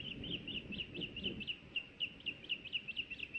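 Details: Osprey at a nest in Hellgate Canyon, Missoula, Montana, on May 26, 2024, around a fish delivery: thin, high chirps repeated about twice a second, rising slightly at each note, over low rumbling background noise.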